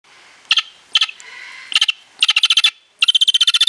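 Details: Vulturine guineafowl (Acryllium vulturinum) at Avifauna, Alphen aan den Rijn, Holland, giving sharp metallic chinking notes, first in short clusters, then fast rattling runs of about ten notes per second, over a faint background hiss.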